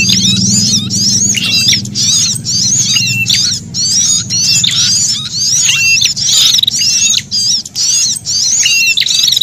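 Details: Brown-throated sunbird frightened, threatened alarm calls mixed with prenjak calls, used to lure wild birds: rapid high zigzag chattering bursts about twice a second, some level whistled notes, over a faint low hum.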